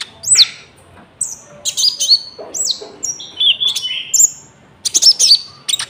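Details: Common iora (konin) singing with cricket-sound filling, a lure for trapping and training caged birds; clear separated phrases of sharp downslurred whistles and level piping notes, with short silent gaps between them.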